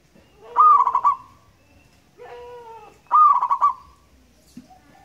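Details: Local wild zebra dove singing: two loud rolling cooing phrases about 2.5 seconds apart, each a high opening note followed by quick pulsed coos, with a softer, steadier lower cooing note between them.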